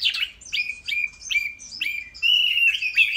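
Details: Chinese hwamei, a kept ornamental bird, singing a string of slurred whistled notes that swoop down and flatten out, repeated roughly every half second, ending in a louder sustained warbling phrase.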